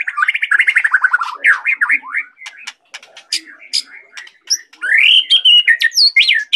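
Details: White-rumped shama (murai batu) from Medan, singing actively while swaying in a jerky way. Rich, varied song: a rapid descending trill, then sharp clicks and upslurred whistles, ending in loud, fluty rising and falling phrases.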